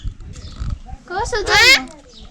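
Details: Talking parrot found in Nuwara Eliya, heard saying "chooti chooti", gives a short, voice-like phrase with strong, rising and falling harmonic tones in the middle, over low rumbling background noise and faint music.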